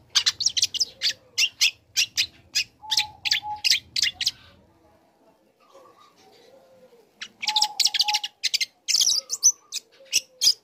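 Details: Young, actively singing long-tailed shrike learning new material to provoke other shrikes into answering: rapid runs of sharp chirps, a quiet pause, then more fast chirping. Faint steady whistling notes sound in the background.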